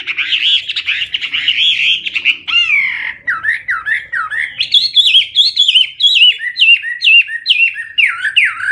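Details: Hwamei in full song with a loud, clear voice: a long warbling run of high, rippling notes, then a string of sharp, downward-slurred whistles repeated at an uneven pace, growing brighter toward the end.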